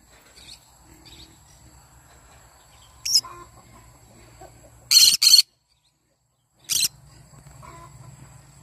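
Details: Harsh, grating screeches from a yellow-sided conure singing in the morning. One comes near three seconds, a quick double burst near five, and another near seven, over a low hum.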